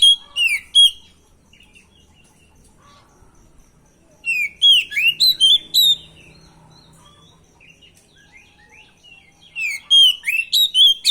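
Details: Lure song of a stressed oriental magpie-robin (kacer) in training, meant to make other birds answer: three bursts of rapid, varied whistled phrases with chirps and slurs, separated by long quiet pauses.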